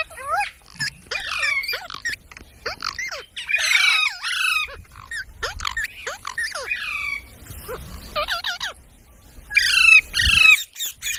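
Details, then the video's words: Parrot, called mitthu, giving a rapid series of harsh squawks and bent whistles, high-pitched and clustered in bursts with short pauses, loudest near the end. "Talking parrot video| Parrot sounds videos Compilation | mitthu mitthu | parrot voice"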